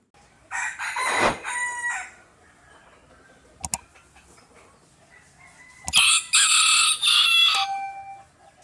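A small rooster gives two shrill, thin cock-a-doodle-doo crows, each lasting about a second and a half, separated by a pause with a couple of sharp clicks.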